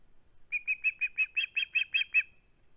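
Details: Live nest cam, 21 August 2020: an osprey keeping its flounder utters a steady series of about ten bright, high chirps at a rapid even pace.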